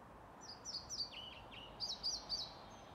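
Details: A European pied flycatcher sings in full song at an elderly care home in Sundsvall, Sweden, on 15 May 2019. It gives two quick phrases of high, thin notes: slurred falling whistles, then a brisk run of sharper ones, over a soft hum.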